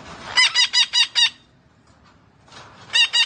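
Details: Green parrot giving a rapid run of five grating, buzzy squawks, a pause with faint noise, then two more in the same harsh, evenly spaced style.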